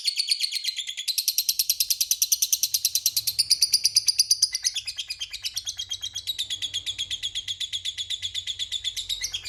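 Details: Long ngekek of a lovebird, played as a lure to draw rival lovebirds into answering. Continuous rapid, shrill, pulsed chatter for the whole stretch, gaining strength early, dipping slightly midway, then running on evenly at high pitch.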